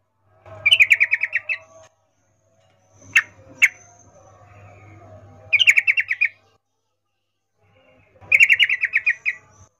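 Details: Female yellow-vented bulbul in breeding condition calling to a male with the 'ngecuplik' call; three bursts of rapid harsh chattering about a second each, plus two sharp clicks between the first and second bursts.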